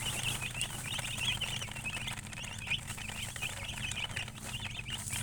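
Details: Chirping from colored chickens, also called murgi: many rapid, high, overlapping peeps form a busy, unbroken chatter over a constant low electrical-sounding hum.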